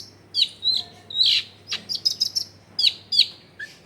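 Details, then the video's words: Long-tailed shrike song used as a lure to make lazy shrikes sing, recorded in a crowded residential area: sharp high chirps and descending whistled notes in quick varied bursts, with a steady low hum beneath. "SUARA BURUNG CENDET GACOR PANCINGAN CENDET MALES BUNYI"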